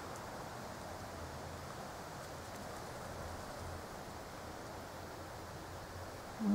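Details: Only a steady, soft outdoor hiss with faint rustling, and a brief thump at the very end; no clear animal call is heard.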